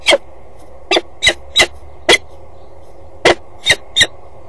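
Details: Peregrine falcon pair at a nest box on a water tower in Axel, 8 April 2012, 10:39 am; one perches on the grille as the other arrives without entering. Harsh, sharp broadband calls repeat irregularly, about eight in four seconds, over steady background hum.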